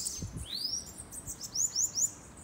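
Bananaquit singing thin, very high notes: a swept, slurred whistle, then three quick sibilant chips in rapid succession, over faint low background noise.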